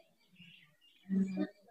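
A myna gives one brief, low, voice-like utterance, about a third of a second long, mimicking human speech over a faint indoor murmur.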